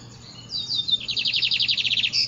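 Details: Lined seedeater singing at dawn: a loud, high buzzy song opening with a few thin sliding notes, then a fast series of repeated rhythmic chips, ending in a short trill.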